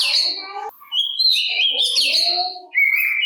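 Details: Oriental magpie-robin (kacer) song meant to provoke other magpie-robins: sustained clear whistled notes with wavering pitch, short breaks between phrases, faint lower chatter underneath.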